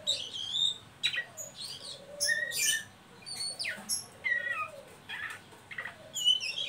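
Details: Oriental magpie-robin ngeriwik call meant to stimulate young birds to sing, with scratchy bursts, short whistled slurs and soft low whistles in an irregular, varied pattern.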